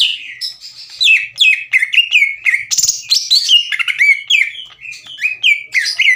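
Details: Aggressive greater green leafbird, kept caged, sings a loud and clear rival-challenging song: a continuous, varied torrent of rising and falling whistles mixed with buzzy, scratchy notes.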